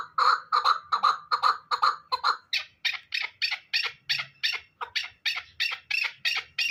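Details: Hybrid fighting chukar partridge: several low, throaty chuck notes give way to a rapid sequence of higher, harsher notes, each loud and evenly spaced.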